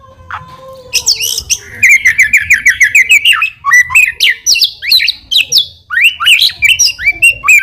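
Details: White-rumped shama song meant as a lure to draw a response: a long run of rapid, evenly repeated slurred whistles, then varied rising and falling phrases, loud with little background noise.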